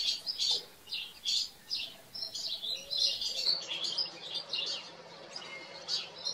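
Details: At a farm, house sparrows keep up a busy run of repeated sharp chirps, several overlapping calls in quick succession.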